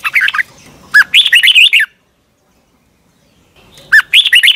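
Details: Red-whiskered bulbul from Thailand, a song recording played to young caged birds so they copy it; two bright, rapid warbled phrases of short rising and falling notes, separated by about two seconds of silence.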